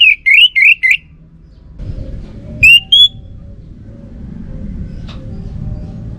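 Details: Orange-headed thrush repeating short rising whistled notes four times in quick succession, then a pair of similar whistles after a gap, with low rumbling noise in between.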